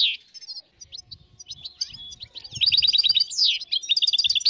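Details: European goldfinches, dozens in the wild in northern Morocco, 2022: sparse quiet chirps over faint low rumbling build into loud, rapidly repeated twittering phrases from several birds.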